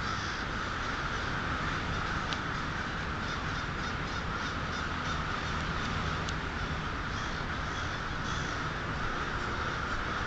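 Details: Many crows calling together at twilight, 1/6/12, Polish Hill, a thick continuous mass of harsh caws with faint sharper calls standing out now and then across ten seconds.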